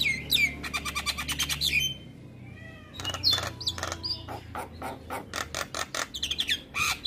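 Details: Black-winged myna song meant as morning training for mynas to sing; rapid rattling clicks, then a break, then more harsh squawks and short whistled upslurs, with a low hum underneath.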